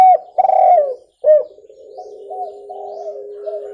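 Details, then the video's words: Spotted dove cooing, clear and suited to luring birds: loud bent coos at the start, then a soft sustained low note with gentle wavering coos layered over it. "SUARA TEKUKUR JERNIH COCOK UNTUK PIKAT"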